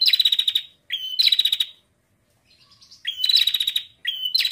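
A female bar-winged prinia gives high, rapid ticking rattles, each opened by a short whistled note and repeated about every second.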